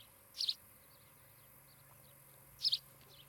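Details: Ospreys calling at a Charlo, Montana nest on a camera, 16 July 2018, afternoon: two loud, high, doubled chirps about two seconds apart, with quiet hum between them.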